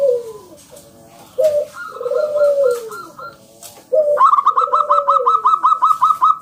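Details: Loud, wild local zebra dove singing to draw other doves into song: low falling coos and short stuttered notes, then a sudden fast, regular run of about fifteen bright clipped notes.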